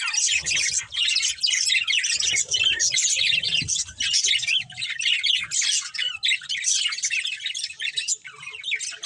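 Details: Pet budgerigars, a breeding pair, keep up a constant rapid chatter of raspy high chirps and warbles, with soft low knocking sounds early on.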